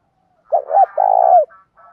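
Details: Decoy spotted dove giving a provincial-style challenge call meant to spur rivals to fight: one quick phrase of two short low coos and a longer drawn-out coo that falls at the end, then faint softer notes.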